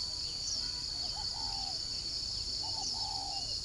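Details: Spotted dove at a bird farm in Ba Vì district, Hanoi, northern Vietnam, giving two soft, low, slightly arched cooing phrases, each under a second, beneath a loud, steady high insect drone.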